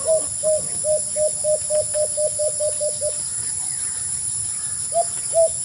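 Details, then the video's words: White-eared brown dove giving a quick series of about eleven short, low hooting notes, evenly repeated roughly four per second, then a pause and two more separate hoots; steady hiss in the background. "white-eard brown-dove sound effect"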